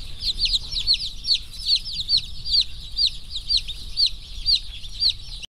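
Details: Just-arrived rainbow broiler chicks of a slow growth line, 1040 in the batch, healthy and running around: bright descending peeps in quick succession, about two a second, over a continuous chorus of chicks.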